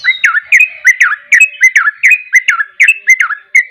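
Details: Sooty-headed bulbul singing in the energetic ropel style: a quick series of short whistled, slurred notes dipping and rising, repeated about every third of a second, loud and clear against a quiet background.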